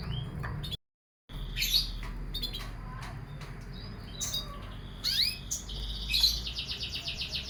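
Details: Canary put out to sun in the morning between 08:00 and 10:00; scattered sharp chirps and upslurred notes build into a fast, evenly pulsed high trill at the end, low hum behind.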